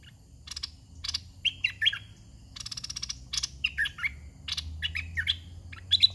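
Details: Caged red-whiskered bulbul decoy used for luring wild birds, giving rapid liquid whistled phrases that dip and rise, interleaved with harsh, rhythmic, broadband clicking bursts.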